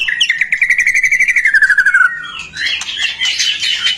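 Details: White-rumped shama song used to trigger singing in other shamas: a rapid trill of repeated notes, about four per second, gliding slowly downward, then a harsh buzzy chatter.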